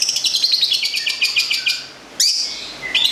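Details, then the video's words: Long-tailed shrike from Gedong Songo, Central Java, a kept local cendet, rattling off a rapid, even chatter of high buzzy notes for two seconds, then a sharp sweep and a rising whistle after a short gap. "Berexperiment dengan cendet lokal Gedong songo (jawa tengah) kicau punya cerita"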